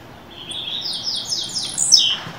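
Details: Caged blue-black grassquit warming up toward the Canto Fibra song: a series of rising buzzy trilled notes climbing step by step, ending in a loud piercing downslurred note, over steady low hiss.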